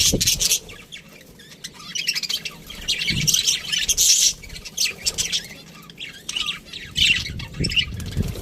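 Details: Aviary budgerigars twittering and squawking, loud raspy chirps overlapping in a continuous chorus, with a few low knocks in the background.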